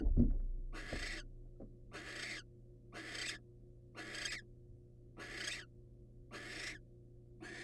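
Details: Barn owl hissing as the male hands his catch to the patient female, wild birds: eight evenly spaced rasping screeches about one per second, after a sharp knock at the start.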